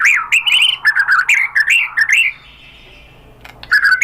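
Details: White-rumped shama (murai batu) singing a provoking lure song: quick looping whistled phrases with rapid chirps, a fading drawn-out note, a short pause, then renewed chattering whistles.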